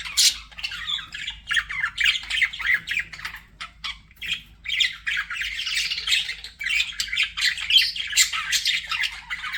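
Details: Chirping budgies in choppy bursts of scratchy squawks and squeaky chirps, short gaps between phrases, quieter stretches near the middle.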